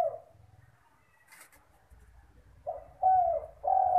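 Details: Spotted dove, a village bird singing steadily as lure audio. A low rumble and faint coo start it, a brief rustle follows, then two loud, drawn-out hollow coos end the clip.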